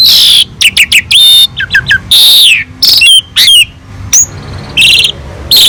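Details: Asian pied starling in full, rich song, recorded as a master for tutoring other songbirds: clear rising and falling whistles mixed with harsh, broadband bursts and quick chip notes, delivered in uneven phrases.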